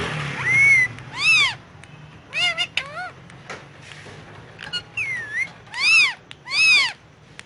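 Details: Pet Indian ringneck parakeet speaking Urdu/Hindi on pillows: loud arched speech-like words in distinct bursts about a second apart, with a brief whistle and a few softer clipped syllables in between.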